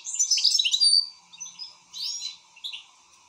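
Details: Excited European goldfinch giving a brief loud burst of scratchy twittering and a sharp whistled note, followed by a few softer chirps and a faint hum.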